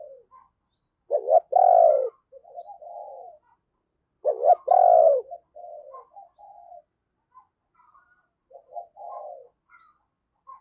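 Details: Decoy spotted dove calling wild doves: two loud, hollow, drawn-out coo phrases about three seconds apart, each trailed by softer murmuring notes.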